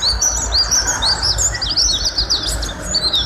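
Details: Mountain white-eye in full song on a tutor recording: high, sliding twitters and short whistled chirps, about two a second and irregular, over faint low background hum.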